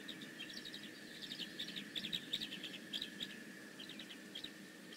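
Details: Bald eagle calling at the Decorah North nest, 15 May 2017, with rapid high-pitched chirps in uneven clusters that swell in the middle and trail off. A constant faint hum and low rumble run underneath.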